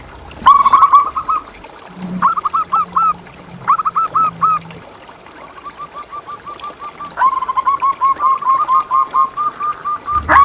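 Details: Local zebra dove singing, used as a master recording to train caged doves and stir them to sing: bursts of rapid, repeated cooing notes, rolling trills broken by short pauses, with a faint low hum beneath.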